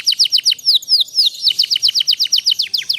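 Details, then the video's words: Master song for a young canary learning to sing, meant to build a long rolling song: fast repeated high downslurred whistled notes, about seven per second, with a brief chattering pause around one second. "kenari paud belajar bunyi jadi cepet gacor ngerol panjang durasi panjang dengan masteran ini"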